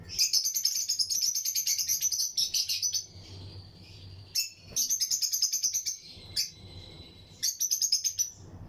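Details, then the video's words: Chirping from lutino lovebirds housed as pairs in a breeding colony aviary with other birds nearby: fast trains of sharp, high, buzzy chirps, about three per second, in bursts lasting one to two seconds with short gaps. "Lutino Lovebirds Breeding Colony Cage - Chirping and Relaxing Sound"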